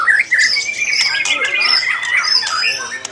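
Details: A white-rumped shama known as a competition songbird, originally from Jakarta and with lovebird among its song material, sings a fast, unbroken run of harsh squawks mixed with high whistled sweeps. A faint voice may sound behind it.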